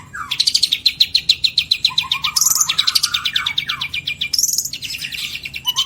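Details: Long-tailed shrike performing elaborate 'isian' song for use as master material: long trains of rapid, regular ticking notes at high pitch, broken by slurred whistles and harsh bursts.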